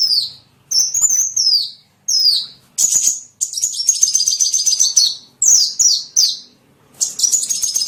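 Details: Lure for small birds: high downslurred chirps, then about a second of fast rattling trill, followed by more quick falling chirps and a final trill.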